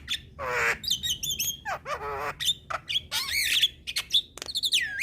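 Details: Energetic white-eyed jalak kebo (Javan myna) song for cage-bird practice: nasal harmonic squawks, looping whistles and clicks in quick succession over faint low background noise.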